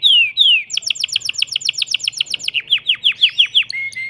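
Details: Caged male canary sings to excite a female for mating: two long downslurred whistles, a rapid series of clipped repeated notes, then slower falling whistled notes and a closing rising tone.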